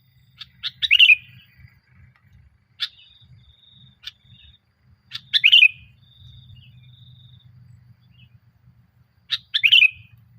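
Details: Sooty-headed bulbul song used as a lure for caged birds: three bubbly phrases, each led by clipped notes, about four seconds apart, over a steady low hum and scattered clicks.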